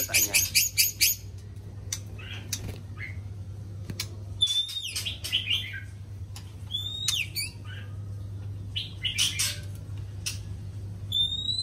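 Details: White-rumped shama in morning song, opening with a rapid series of sharp clicks, then varied whistled phrases, rising slurs and high thin notes spaced through the recording, with a low hum underneath.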